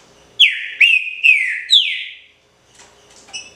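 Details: Green-winged saltator song: four strong whistled notes about half a second apart, each dropping in pitch and then holding level. Silence and a few faint chirps follow.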